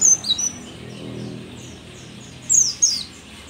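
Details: Mountain white-eye (pleci dakun), described as a rare endemic of Merapi, an old bird still singing well; a few brief, very high slurred chirps at the start and two more near the end, over soft background hiss.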